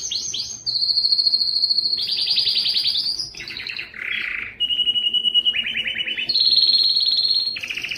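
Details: A male mosaic mule canary sings fast rolling trills, shifting between high and lower pitched tours.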